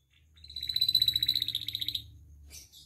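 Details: Canary singing a rapid rolling trill of evenly pulsed high notes lasting over a second, used to train and provoke captive birds. A low steady hum runs behind, and a brief scratchy note follows.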